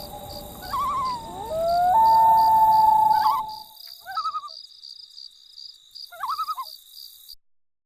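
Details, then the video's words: Loon on Emma Lake, Saskatchewan, Canada, in summer, giving a long, mournful wail that rises and holds, then several short wavering tremolo notes; steady fast insect chirping throughout, low rumble early on. "Sounds of Summer - The Loon"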